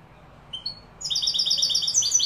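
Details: European goldfinch, Málaga-style song, Morocco: two thin, separate high notes, then a quick, bright stream of repeated twittering syllables that fills the last second and more.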